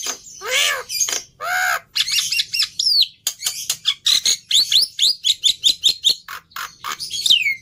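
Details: Black-winged myna song starting with two nasal harmonic calls, then a long rapid series of short scratchy and whistled notes rising in pitch.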